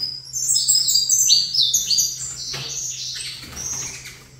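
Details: Captive saffron finch singing toward a facing rival bird: a quick cascade of piercing, high chirps and trills that builds, then fades into looser scattered notes, with a low mains-like hum.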